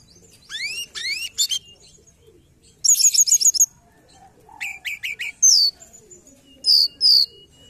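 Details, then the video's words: Forktail calling on a trapping lure track: steep upward-sweeping whistles, a rapid chain of six high buzzy notes, three lower clipped notes, then piercing descending whistles. "Pancingan Ampuh Tledekan gunung"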